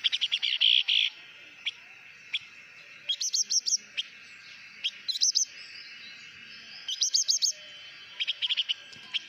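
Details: Blue-winged minla giving a lure song, the hót mồi style: bright high chirps and quick twittering bursts in clusters, with short gaps between phrases.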